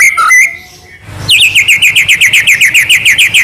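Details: White-rumped shama (murai batu) in trotol song: a few whistled notes, a brief lull, then a fast even rattle of high looping notes, about three or four per second.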